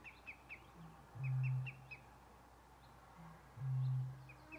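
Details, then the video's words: Eurasian bittern booming on 1 June 2021 at lake Mingen, Njurunda, Sweden: two deep, foghorn-like booms about 2.5 seconds apart, each preceded by a soft intake note, with thin chirps of other birds above. "på sluttampen kommer Rördrommens bastuba"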